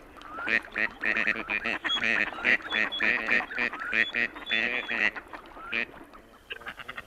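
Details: Gadwall drakes give their distinctive call, also heard in flight: a rapid run of short, nasal, squeaky yips, many notes a second, in overlapping bursts trailing off into softer calls, likened to Sesame Street's Yip Yips.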